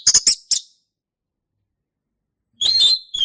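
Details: Male orange-headed thrush from the forest, in ngeplong style: three quick high harsh notes, a pause, then a sustained whistled phrase that rises and falls.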